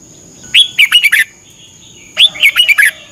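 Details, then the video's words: Thai cage-bird training song of a red-whiskered bulbul, played each morning for half an hour so birds can learn. A rising slurred whistle leads into quick warbled notes, and a second matching phrase follows about a second and a half later. "นกกรงหัวจุก ฝึกหงอนเป็นเวลา 30 นาทีทุกเช้าเพื่อช่วยให้นกเรียนรู้ที่จะพูดได้อย่างรว"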